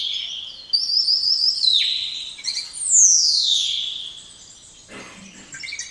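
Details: Spotless starling song with a sustained buzzy whistle bearing rapid trilled notes, then a loud whistle gliding down from very high. A brief lower rasp and quieter scratchy notes close the phrase.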